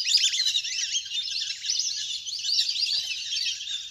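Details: Large wild duck flock playing in water, natural recording for drawing birds down; constant overlapping high squeaky notes and rapid twitters from many birds, with one soft low thump.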